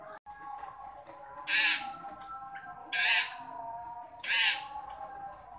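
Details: Long-tailed shrike calling to a shy shrike. Three loud, scratchy squawks are spaced about a second and a half apart, over a steady background hum and faint tonal drone.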